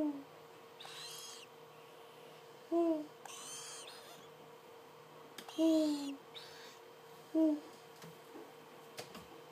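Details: Captive Tropical Screech Owl chicks, 26 and 21 days old, indoors: soft low hooting notes repeated irregularly every couple of seconds, four calls in all, interspersed with bursts of rustling hiss.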